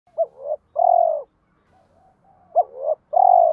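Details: Spotted dove cooing, used to stimulate other doves to coo: two mellow hooting phrases, each a short upswept note, a rising slurred note, then a long, loud, slowly falling coo, about two and a half seconds apart.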